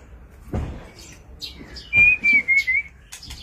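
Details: White-rumped shama during display, giving a few thin clicks then a clear sustained whistled phrase of wavering notes, with some low knocking noise in the background.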